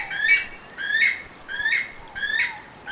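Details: A weka, a flightless New Zealand bird, gives its distinctive call: loud, nasal, slightly rising notes, repeated steadily about every three-quarters of a second, over a quiet background.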